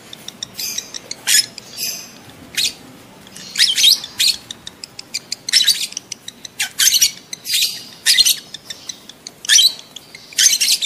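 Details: Lovebird in breeding excitement, calling to stimulate adult lovebirds to mate: shrill, harsh high chirps in rapid chattering bursts, about one burst per second, separated by short ticking notes, over a quiet indoor background.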